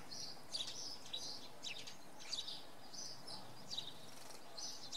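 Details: A common redpoll in fog on an evening at Oksywie, Poland, gives short, high, buzzy chattering calls in quick bursts every second or so, over a steady low background rumble.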